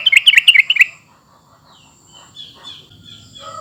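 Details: Sooty-headed bulbul call played to draw a reply from other bulbuls: a quick, dense burst of bright chirping notes lasting under a second, then near quiet with faint distant twittering.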